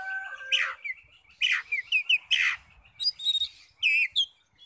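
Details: Oriental magpie-robin song used to provoke other magpie-robins; harsh descending rasping bursts followed by clear whistled notes and a few high pure tones, delivered in separated phrases.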